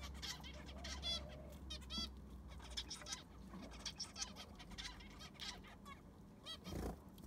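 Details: Zebra finches kept in an aviary, recorded as it is cleaned: busy overlapping nasal honks and short buzzy rattles from several birds, with a low hum and a soft bump near the end.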